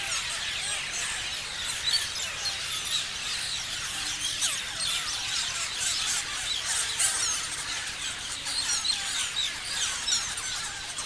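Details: Numerous parrots chirping, a sustained, high, hissy chorus of overlapping squeals and short downward-sliding chirps with small swells in loudness.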